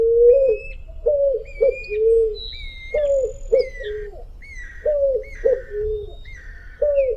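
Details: Picazuro pigeon (Patagioenas picazuro), song.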